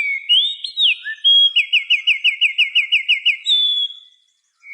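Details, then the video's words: Afternoon birdsong at dusk opens with a rising and falling whistled phrase, then a steady run of about a dozen quick looping high notes, ending in a sustained whistle and a short pause. "the sound of birds chirping in the afternoon"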